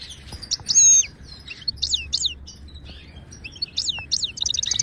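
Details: Authentic Moroccan goldfinch singing to coach silent caged birds: crisp downslurred chirps spaced by brief gaps, several jingling phrases, and a quick run of repeated notes at the end.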